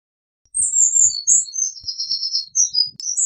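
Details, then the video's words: Eurasian wren singing a rapid, high-pitched song of shrill notes and fast trills, running about three seconds without a break, with faint low thumps underneath. "Eurasian Wren Bird Song, Call, Chirp, voices, Sound - Chochín Común Canto"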